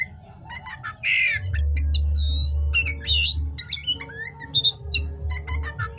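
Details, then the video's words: Night singing of an oriental magpie-robin in good form: a harsh grating burst, then ringing whistled slides and short chirps, over a strong low-pitched hum. "suara KACER GACOR di malam hari"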